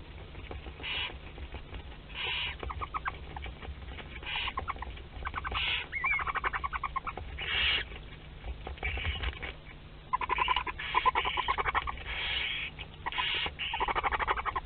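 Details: Western barn owl family in a Théding nest box as chicks two to six of a ten-egg second brood hatch, 22 August 2021, on webcam: repeated harsh hissing bursts alternating with rapid ticking chitters, steady low hum beneath.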